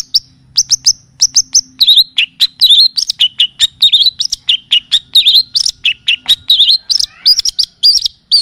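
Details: Long-tailed shrike (cendet or pentet) singing on a tutoring and lure recording in the full kapas tembak and cililin style: a busy run of sharp, high chirps and short whistled slurs, closely spaced and varied, with a faint low hum beneath.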